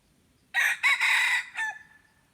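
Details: Crowing red junglefowl decoy for attracting wild birds, dated 10 March 2022: a single harsh, broken crow in three or four segments, loud at first and trailing off, over quiet background.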